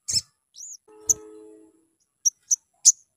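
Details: A sunbird used as a lure recording to get other birds singing gives sharp, very high chirps: an opening burst, a short slurred note, then three quick ticks about a third of a second apart, over a faint low hum.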